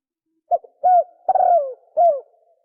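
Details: A spotted dove sings in the 'sấm chuông' style, used to provoke males, females and wild birds: a quick clipped note, a hooked coo, then a long falling coo and a final shorter downward coo, clean and unaccompanied.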